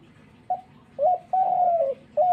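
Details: Dove cooing: a short low note, then longer steady coos that slide slightly downward toward the end, with a fresh coo starting at the close.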